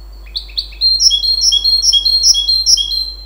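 A goldfinch-canary hybrid sings a bright run of high, clear twittering notes, about two per second, after a couple of short opening chirps.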